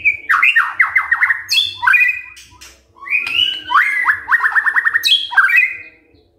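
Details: Morning white-rumped shama song used to prompt other shamas to sing: two phrases, each a rapid stuttering series of falling notes followed by bright rising swoops, with a faint constant hum beneath.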